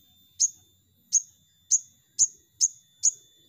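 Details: Crimson sunbird lure call for prompting song: six crisp, very high ticks repeated roughly every half second, loud and clean against faint low background noise.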